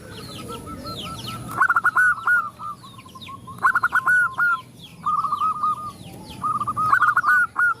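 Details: Zebra doves, a female calling to males while other doves answer; rapid stuttering cooed phrases, each opening with a quick burst of notes and then trailing off, come at about 1.6, 3.7, 5 and 6.6 seconds, with thin high chirps from small birds behind.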